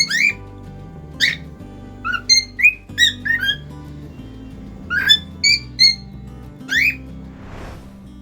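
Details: Caged cockatiel singing: a series of short, sharp whistled notes, some rising and some warbled, in loose groups separated by pauses, with soft background music throughout.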